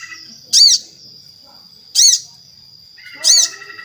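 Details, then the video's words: Crimson sunbird (sogon) giving loud, sharp, high calls repeated about every one and a half seconds, the 'tembakan' style used as a lure to make other sogon sing, over a steady high thin tone. "Suara Sogon Gacor - Sogon Ijoan, Trotol, Macet Pasti Langsung Nyaut"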